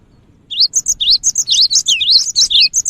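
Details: Cinereous tit, used to draw in other birds: lively run of high, sharp upslurred whistles and paired chirps, densely repeated after a half-second pause.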